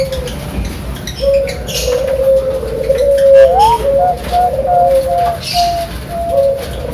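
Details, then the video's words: Zebra dove of the Bangkok perkutut type, kept at a bird farm in Sidoarjo, East Java, giving 'pakem' style cooing: a series of short trilled coo notes with small rises and dips, strung into a rhythmic, wavering phrase. "Perkutut Bangkok Suara Pakem"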